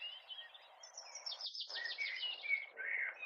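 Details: Common blackbird, a male, singing from a far-off tree in a neighbouring garden in May; a thin rapid twitter of repeated high notes followed by richer, lower fluted whistles, with steady background noise throughout.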